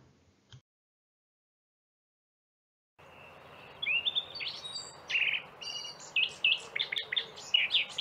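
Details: Eurasian blackcap, a Central European garden bird that sings in spring and summer from dense bushes: loud, rich, long and varied warbling of fluting phrases rising to clear whistled notes, starting quickly after a brief silence.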